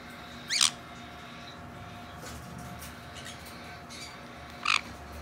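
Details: A hand-tame black-headed caique chick in Fukuoka, recorded 18 April 2019, gives two short, harsh, high squawks about four seconds apart over a faint steady indoor hum.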